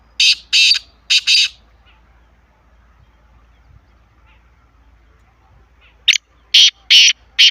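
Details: Francolin (teetar) call played to prompt silent kept birds to start calling: harsh, buzzy, high-pitched bursts, about four in quick succession, then a long quiet gap, then another rapid series of four similar rasping notes.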